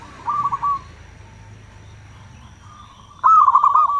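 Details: Local zebra dove cooing as a lure to draw wild doves: a short soft rolling phrase at the start, a long quiet gap, then a loud burst of rapid pulsed coos at the end.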